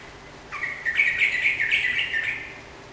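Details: Sooty-headed bulbul singing vigorously to spur a kept bird to sing back: one continuous rippling phrase of rich, gurgling warbles lasting about two seconds.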